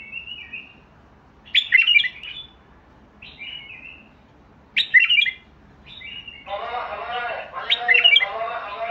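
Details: Bulbul singing short, rich warbled phrases of chirps and fluted notes, repeated every few seconds, with a denser, buzzier burst near the end over a low background hum.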